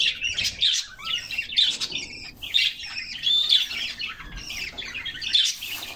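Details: Bathing canaries in summer sing in lively bursts of high twitters, rolling trills and brief whistles, separated by short pauses roughly every second, with faint splashing underneath.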